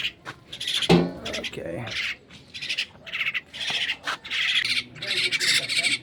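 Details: A myna being fed gives a run of harsh, raspy squawks and chattering bursts, mostly high-pitched and repeated in quick clusters, with a brief human voice near the start.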